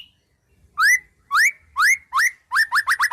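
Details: White-rumped shama song with wild-bird isian: a series of loud, rising whistled notes that come faster toward the end, about nine in all.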